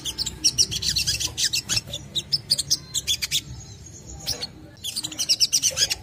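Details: Rapid chattering song of a crimson sunbird, used to lure other sunbirds to sing: quick bursts of high, piercing chirps, a brief pause near four seconds, then the twittering resumes over a faint low hum.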